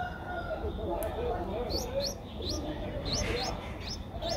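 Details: Nestling Streak-eared Bulbul, 10 days old, Ubon Ratchathani, Thailand, April 2023: sparse, faint, high upslurred peeps, several in a short burst near the end, against a murmuring low background.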